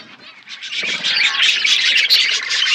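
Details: Budgerigars in a forest-setting aviary: after a quiet start, a dense, overlapping chorus of high chirps and warbled twitters swells and continues without pause from many birds at once.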